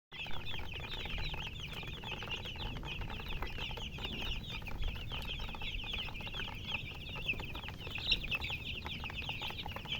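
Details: Baby chicks chirping as a dense, continuous chorus of high, short peeps, many birds overlapping with no pauses, over a steady low hum.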